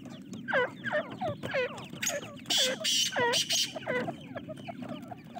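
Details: Francolin chicks peeping in quick falling notes, roughly three per second, interrupted by loud hissing bursts of noise near the middle, with a low rumbling background.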